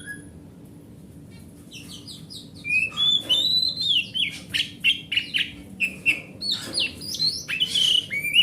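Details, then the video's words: Oriental magpie-robin, grade A home hobby bird, song used to prompt silent magpie-robins: after a quiet start, a fast lively sequence of short whistles, sweeping slurs and scratchy notes about three per second. "Suara Master Burung Kacer"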